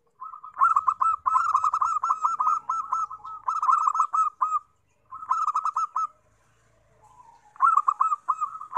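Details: Long, loud phrases of rapid rolling coos from a Zebra dove, used as a lure for wild doves, broken by short pauses and a faint lower murmur before a final burst.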